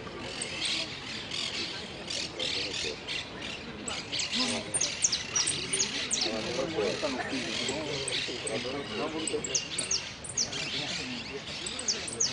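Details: A hooded siskin (Spinus magellanicus) singing in a song competition at Quilmes on 2 December 2017, where it placed third, pours out a fast, high twittering of chirps and buzzy trills, with people murmuring in the background.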